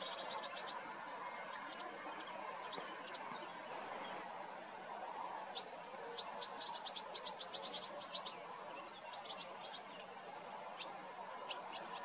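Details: Two large, nearly fledged barn swallow chicks being fed by their parents: bursts of rapid, high, sharp ticking notes in short trains, loudest around the middle, over a steady soft background hiss.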